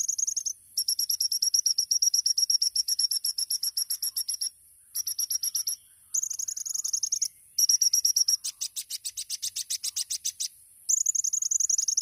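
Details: Olive-backed sunbird, or kolibri ninja, delivering tembakan-style song: long, fast volleys of high, metallic chips broken by brief gaps. One stretch turns into harsher, buzzier rapid strokes before the chipping resumes.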